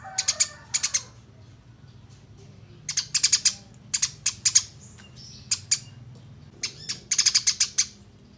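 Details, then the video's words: Fighting Eurasian tree sparrows in a songbird training recording: sharp, high chirps in short rapid bursts of two to six notes, separated by pauses of up to two seconds, with a quiet low background rumble. "Top Masteran Gereja Tarung Ngeroll Abis Durasi Panjang Suara Jernih"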